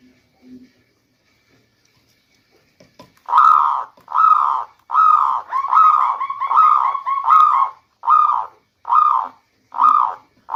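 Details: Local zebra dove song used as a lure in the rainy season: after a quiet start, a run of mellow rolling coos, about one each second, some joined into a quick trilled stretch.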